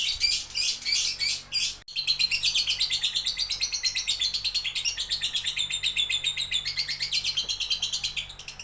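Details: Lovebird delivering a long run of shrill, rasping chirps in rapid rhythmic pulses after a brief break, the squeaky twittering steady and dense throughout, fading slightly at the end.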